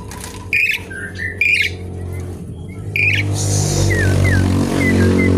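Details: Asian pied starling song used as a lure and to add material for other birds: loud grating squawks in separate bursts, then a few quick upslurred whistles over a continuous low engine-like rumble.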